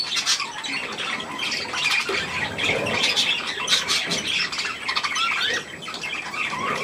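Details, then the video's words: A group of budgerigars with young at millet, loud overlapping chatter of buzzy squawks and warbled notes filling the whole span, with a brief quieter dip near the end. "Hirse und die Jungen Wellis"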